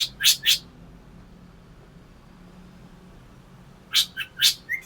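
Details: Black drongo giving harsh, rasping broadband notes: a quick pair at the start, a long quiet gap, then a burst of four scratchy notes ending in a short thin upslurred tone. A faint low hum runs underneath.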